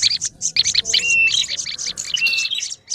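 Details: Bursts of quick, high chipping from an olive-backed tailorbird in an agitated lure recording, broken by two short steady whistles and brief pauses.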